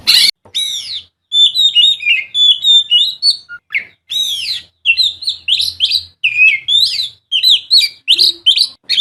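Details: Oriental magpie-robin (kacer), a songbird prized in singing contests, in full song with varied fill notes and bursts: clear whistled phrases, fast rising and falling slurs in quick series, separated by brief gaps.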